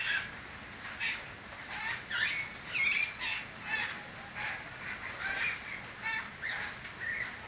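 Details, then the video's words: Birds chirping: overlapping bursts of harsh, chattering calls in pulses about every second, several birds calling together with a steady background hiss. "birds chirping sound"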